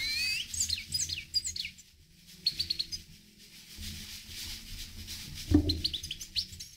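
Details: Himalayan goldfinch singing: quick high twittering and tinkling chirps in bursts, with a brief pause midway and a low thump near the end, over a faint low background rumble.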